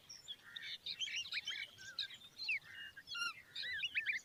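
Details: Common babbler fledglings standing by their mother chatter almost nonstop in a tumble of high, squeaky chirps and short rasping notes from several birds, with faint background hiss.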